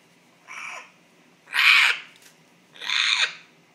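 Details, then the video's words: Male pet African grey parrot making a puzzling noise: three breathy, raspy bursts, a softer first one followed by two louder, longer blasts. "The African Grey (Making Strange Noise)"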